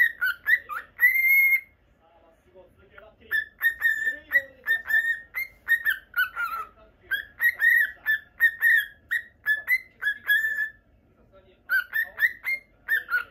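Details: Pet cockatiel, a normal lutino kept indoors in Japan, calling in a long run of short whistled notes, mostly chirps clustered at a steady mid-high pitch, with brief pauses between bursts and a few quieter sounds in the gaps.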